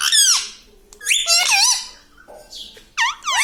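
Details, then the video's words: Pet talking parrot indoors, repeating words like "Me Tota"; raspy, wavering voice-like syllables, some rising and falling sharply, broken by a quiet pause before a final pair of calls. "Papa Mummy Bolne Wala Tota - Talking Parrot - Me Tota Me Tota"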